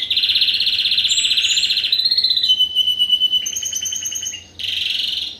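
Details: First-generation Spanish Timbrado canary crossed with wild canary, bred in 2015: a dense steady rolling trill, then short whistled notes, a brief pause and a final rolling trill.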